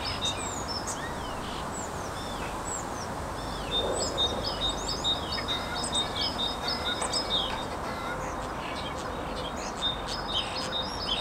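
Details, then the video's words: Three common starlings singing: a busy stream of chirps, clicks, short slurred whistles and mimicked notes, continuous over a constant low background hum. "Скворцы музыкальное трио"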